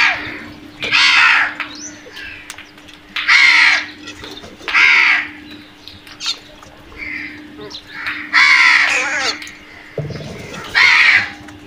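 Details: Crows noisily calling as they attack food, giving harsh, grating caws in bursts, about seven calls over twelve seconds at uneven intervals, with a low steady hum and a brief thump near the end.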